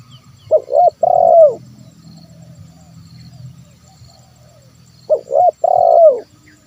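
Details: Two phrases of spotted dove 'kuk 1' cooing, used to draw wild birds to call: a quick hooted pair, then a drawn-out downward purring coo, with a steady low rumble between the phrases.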